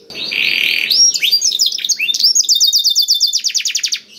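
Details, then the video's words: Blackthroat-style canary song used as a prompt to get canaries singing: opens with a harsh buzzy note, then upward-flicking whistles and a rapid evenly spaced trill of short descending notes. "KENARI ISIAN BLACKTHROAT #181 || VOICE OF CANARY"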